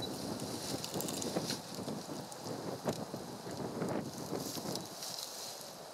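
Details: Steady wind and rain noise with scattered drops and rumble; no animal sound.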